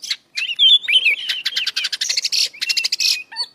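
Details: Oriental magpie-robin (kacer) pouring out a loud 'full isian' song: a rising whistled slur, then quick rattling chips and buzzy notes, closing with short mid-pitched whistles.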